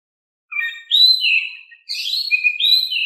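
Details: Oriental magpie-robin in active, calm-voiced song used to provoke lazy magpie-robins into answering: clean whistled phrases sliding down and up, with short twittering notes and a brief pause mid-song, no background noise.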